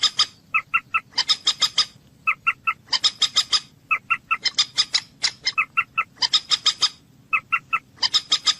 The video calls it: Moorhen bird amazing voice